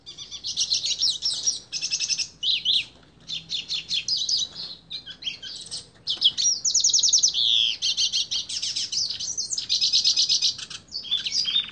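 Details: Yellow-faced Siskin (pintassilgo do Nordeste), a Brazilian songbird, sings a long, high, rambling twitter of rapid trills, buzzy notes and sweet chirps, with only brief pauses.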